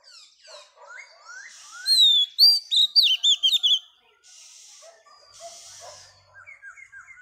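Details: A female Oriental magpie-robin sings to stir males: soft rising whistles build into a rapid loud string of looping whistled notes, followed by hissy noise and quiet chirping calls.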